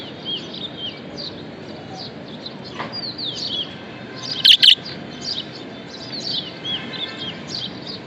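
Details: Pet budgerigar, described as happy, keeps up a steady stream of soft, high, sliding warbles and twitters. Midway comes one loud, sharp double chirp.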